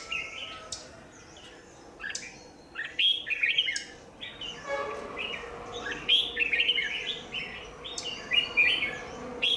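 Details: Lure red-whiskered bulbul at a trap on 27 January 2019: repeated quick phrases of bright chirping, slurred notes across several seconds, with a low background hum.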